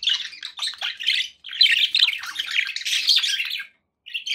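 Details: Companion budgerigars warble nonstop in a bright, chattering flow of squeaky chirps and trills, ending with a short pause and one more call.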